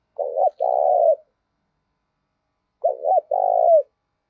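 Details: Two phrases from a spotted dove's fight-provoking decoy call, spaced nearly three seconds apart. Each opens with a wavering two-note coo and ends in a long, level, vibrating croo with a falling tail. Nothing else is audible.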